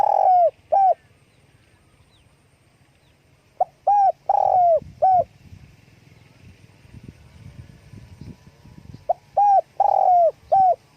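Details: Wing-flapping spotted dove repeating its cooing call three times across eleven seconds. Each phrase has a soft lead note, a mellow coo, a drawn-out burry coo falling at the end, and a last coo, with quiet low rumbling between.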